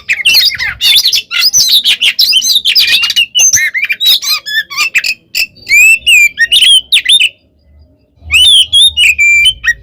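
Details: Oriental magpie-robin (kacer) in loud, energetic fighting song used as bait to provoke rival birds into answering: rapid varied whistles, harsh squawks and sweeping notes, brief pause near the end before whistled phrases resume.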